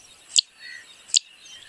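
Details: Zitting Cisticola in Indian scrubland, whose restless zigzag flight call is a 'chip chip' or 'zip zip' given as it gains height, giving two sharp, high 'zip' notes about 0.8 seconds apart over faint background hiss.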